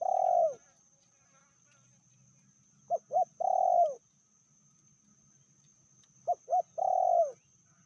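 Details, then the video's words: Spotted dove hen, described as more aggressive than males, cooing at a medium pitch; phrases of two quick clipped notes followed by a long sliding coo, given three times with gaps of roughly three seconds. "Betinanya lebih ganas dari jantannya/bl suara sedang"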